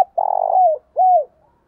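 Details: Single spotted dove phrase used to lure wild birds: a low, rolling, vibrating coo that slides downward, then one clear arched coo, in quiet surroundings.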